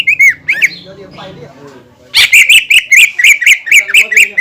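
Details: Greater green leafbird song meant to provoke other leafbirds into singing: a few brief slurred notes, a quiet gap, then loud sharp repeated notes about four times a second.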